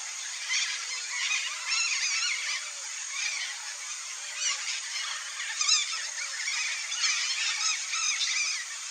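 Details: Red-bellied macaws in a noisy calling flock. Bursts of buzzy, wavering squawks come every second or so over a constant chattering background, with faint low whistled notes underneath.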